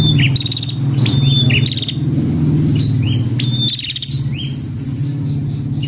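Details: A female prinia's calls to the male, high sharp chirps dropping in pitch with occasional rattles, half buried under a loud low rumbling drone.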